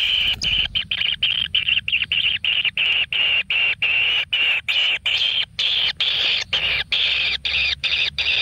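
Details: Single kingfisher chick in a natural nest being fed a large frog; harsh, buzzy begging rasps pulsed in rapid bursts, steady and continuous with brief gaps.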